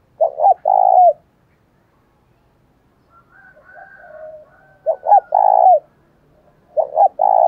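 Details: Decoy spotted dove giving its lure call to wild doves: three loud phrases, each two short hoots then a longer falling coo, separated by quiet soft cooing.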